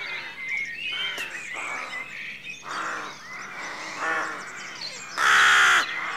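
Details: Rooks calling at dawn in their rookery: separate hoarse, nasal caws every second or so, with one especially loud, harsh caw near the end and light chirping of other birds behind.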